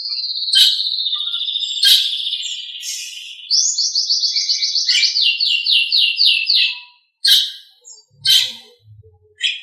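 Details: Nias hill myna recorded as a master track for bird training: a long high whistle, then a rhythmic string of about ten bubbling repeated notes, followed by sharp harsh bursts and faint low sounds.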